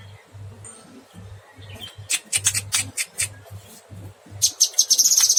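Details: Vigorous cucak kinoy song in a long burst: a quick run of high, sharp chipping notes, then a fast glittering trill at the end, with a low electrical hum beneath.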